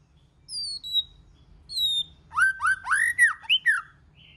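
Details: White-rumped shama singing in many voices to stimulate other shamas: two high thin falling whistles, then a flowing run of arched, slurred whistled notes.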